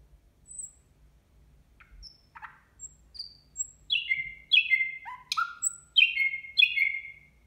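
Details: Nightingale singing at New Year, indoors: faint scattered high whistles and short buzzy notes, then loud repeated phrases of bright descending slurred whistles from about four seconds on, with a quiet low hum underneath.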